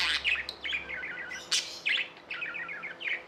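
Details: Tamed budgerigars chatter in fast rhythmic chirp series, rapid repeated small notes broken by a few loud sharp clicks.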